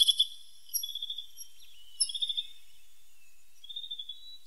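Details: Tit singing in nature: thin, high whistled notes, some sliding, in short spaced phrases with brief quiet gaps between them.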